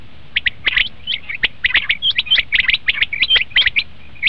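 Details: Common quail calling, recorded for hunting: a dense busy run of high clipped chirps and quick slurred notes, almost continuous.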